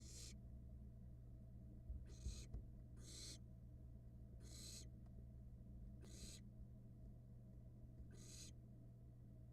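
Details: Barn owl nestlings on a nest camera in Florida, feeding on a rat; six harsh hissing screeches, each about half a second long, at irregular intervals over a steady low mechanical hum.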